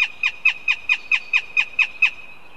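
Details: Northern goshawk at its nest in Riga, live nest camera, giving begging calls: ten evenly spaced, sharp, down-slurred squealing notes, about four per second, loud and clear against faint background hiss.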